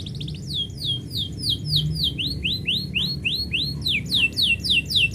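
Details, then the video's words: Canary song heard when its owner is about to leave, a continuous run of bright rising swept notes repeated roughly four times a second, layered and overlapping, over faint low background hum. "kenari bunyi ketika yang punya mau pergi"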